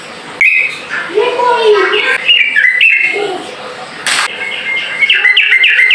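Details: Sooty-headed bulbul song of the ropel type, meant to draw rival birds into calling back: chattering whistled notes and lower warbled slurs, broken by one sharp broadband click midway, then rapid high twittering.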